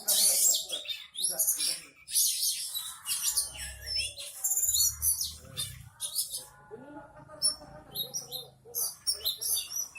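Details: Caged Oriental magpie-robin singing steadily on a training stand and showing off its learned imitation phrases; fast bursts of shrill chirps, harsh buzzy notes and sweet whistles in varied sequence, with a faint low hum beneath.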